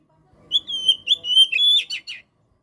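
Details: Kacer, the white-rumped shama, in a training and prompting song: loud whistled phrases near one pitch, with clear harmonics, sliding notes and a few sharp ending chirps, in a quick burst.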